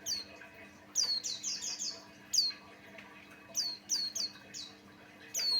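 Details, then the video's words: Buxtoni white-eye song used as a lure to set other white-eyes singing: thin, high, downward-sliding whistled chirps in quick bursts of three to five, separated by short pauses, over a faint steady hum. "Suara Burung pleci Buxtoni pancingan Ampuh"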